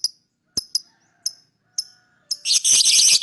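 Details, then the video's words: Lovebird chirps meant to draw other birds in: five sharp high chirps about half a second apart, then a loud, continuous harsh chattering. "lovebird singing & chirping sound to lure other birds chirping"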